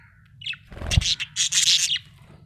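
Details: Chirping from a happy budgerigar: a rising chirp, then a dense, noisy burst of rapid scratchy warbling with a low thump, over a background hum.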